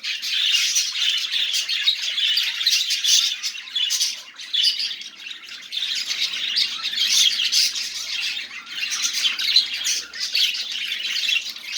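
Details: Dense budgerigar warbling meant to start silent birds singing, a constant scratchy babble of squeaks and clicks with little pause.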